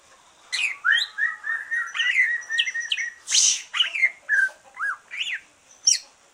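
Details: Relaxed singing from a caged green leafbird after its moult, meant to prompt other birds: a varied, lively mix of slurred whistles, buzzy high bursts and quick rising and falling notes in steady succession.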